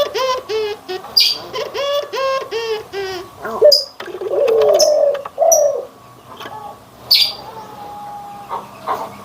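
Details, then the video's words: Barbary doves compared, white and brown, in anggungan cooing: a rapid series of nasal harmonic notes, then a low wavering coo, with a few sharp high clicks after. "PERBEDAAN SUARA ANGGUNGAN BURUNG PUTER PUTIH DENGAN PUTER COKLAT"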